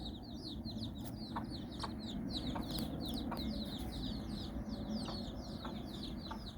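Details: Chicken hen walking with her nine chicks in Bizkaia, Basque Country, the chicks exploring and playing; a steady chorus of high, downward-slurred peeps overlapping continuously, with soft low ticks and a broad rural background hum.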